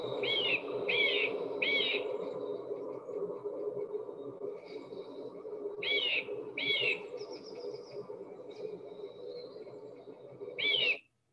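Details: A Eurasian nuthatch, a very loud bird, sings its song of loud, clear whistled notes with a looping twist, in short spaced runs of two or three, over a steady low hum.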